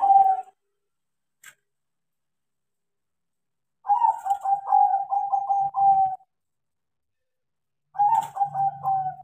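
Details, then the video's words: A tame crossbred zebra dove that sings readily after being trained delivers a long, bubbly coo phrase of quick pulsed notes ending in a sustained tone, then starts another after a short pause. "PERKUTUT CROSSING GACOR KARENA DIAJARI"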